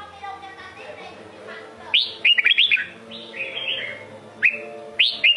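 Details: Red-whiskered bulbul (chào mào) of the Sông Kôn type from Vietnam, singing: bright, warbled whistled phrases of quick rising and falling notes in bursts from about two seconds on, with a short repeat near the end over a low background hum.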